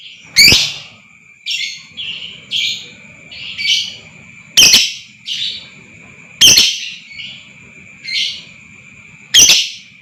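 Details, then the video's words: Lovebird calling, played to stir other lovebirds into long trilling: loud, piercing chirps alternating with softer buzzy, raspy notes roughly every second, against a constant thin high-pitched whine and faint low rumble. "lb AKAN TERPANCING NGEKEK PANJANG,DAN GACOR Dengar Suara ini Super Ampuh Naikan Emosi Lovebird Pakum"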